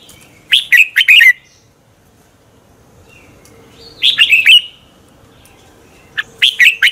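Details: Red-whiskered bulbul in dueling song, recorded as a lure to spur birds to sing: three bright, tumbling phrases of clear warbled notes about every three seconds, with quiet gaps and a faint steady low tone.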